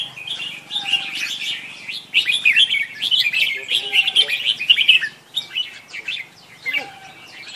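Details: Chirping of the red-whiskered bulbul: dense, energetic twittering and chattering in long runs, broken by brief gaps, with a faint steady whistle briefly in the background.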